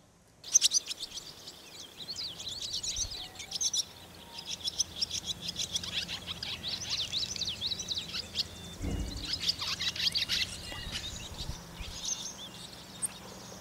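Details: Barn swallow chicks in a nest above the door of a milking parlour on a farm, on a rainy day, giving many high, thin chirps and twittering notes, with occasional lower chatter and a soft background hum.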